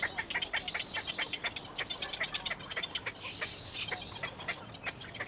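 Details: Little egret chick crying for its mother: rapid series of short, dry, clicking notes, several per second, with a brief rasping burst midway, over steady hissing background noise.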